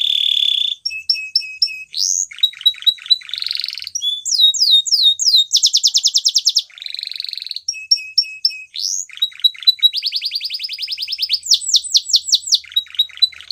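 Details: Spanish Timbrado canary in varied song, alternating steady buzzy rolls, rapid metallic trills, rising and falling slurred whistles and clipped chirps in quick succession, bright and high-pitched throughout.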